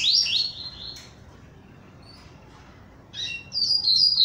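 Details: A Double-collared seedeater, just coming out of molt and now much lighter, sings two bursts of high, bright, slurred whistles and trills separated by a couple of seconds of quiet. It is eager to sing.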